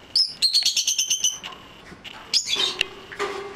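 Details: Elderly female lovebird, white-faced American mauve cinnamon pet bird, territorial and banging her cage indoors: a rapid run of shrill chattering chirps repeated about ten times, a pause, then another harsh screech with rattling knocks.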